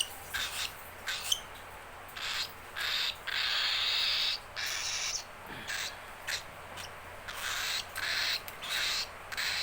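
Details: Hungry baby cockatiel begging for its keeper: steady, rhythmic hoarse hissing rasps, roughly one each second, each a harsh breathy burst with short pauses between.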